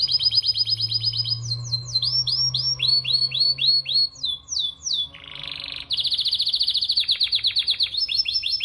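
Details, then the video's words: Canary delivering intense rolled song meant as tutor material for other cage birds: fast trills and repeated sweeping notes, a brief lower rasping burst near the middle, then a bright rapid roll; a low steady hum underneath early on. "Kenari Ngerol parah Pas Buat Masteran"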